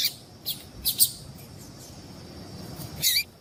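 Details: A female Double-collared Seedeater gives a few thin, high chirps, spaced irregularly, over quiet background hiss; the calls are used to stimulate males to sing.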